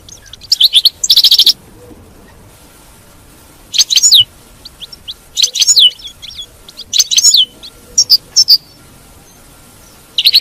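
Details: European goldfinch batbata, a twittering recording played to keep a captive goldfinch singing: clusters of rapid, high, liquid chirps at irregular intervals over a soft background hiss.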